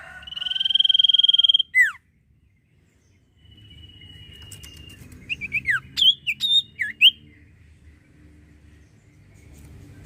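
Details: Common iora in lively song: a fast, even high trill, then a steep falling whistle, a pause, a thin steady note and a scatter of sharp upslurred and downslurred whistled notes.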